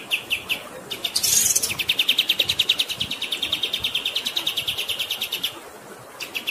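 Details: Training song of a pied triller over flowing water: spaced chirps, a loud harsh burst, then a long rapid trill of repeated chirped notes that fades before spaced chirps return.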